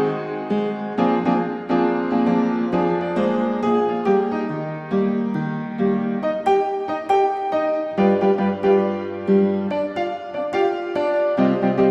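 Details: Piano music plays throughout, with chords and melody notes and no animal calls to be heard.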